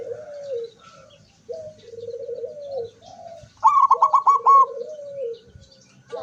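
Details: Zebra dove, 24 September 2023, singing with open beak: several short low rolling coos, then an emphatic higher pulsed trill of about six beats overlapping a softer coo.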